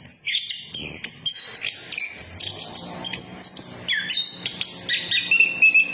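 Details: Orange-headed thrush song used as a lure to get silent orange-headed thrushes singing, in the lively ngeplong style: varied high whistled phrases, sharp slurred notes and quick chirps, with brief pauses between bursts.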